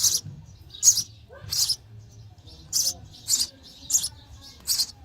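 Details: Sparrow chicks begging in the nest while fed, with seven high, harsh chirps at irregular spacing and a pause in the middle.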